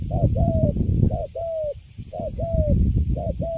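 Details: Young caged spotted dove of the Cấn Sấm type, newly caught and standing still in its cage, cooing: short rising note then a longer level hoot, paired and repeated about every second, over steady low rumbling background noise.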